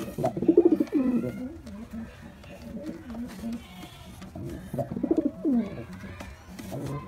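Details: Displaying male white pigeon gives a stuttering, rapidly pulsed coo that drops in pitch, then after a lull repeats a similar descending rolling phrase.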